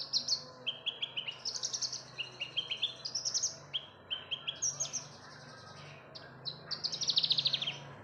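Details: Javan bush lark song meant to prompt other birds to sing: lively series of high chirps, stepped notes and rapid buzzy trills, nearly continuous, over a faint low hum.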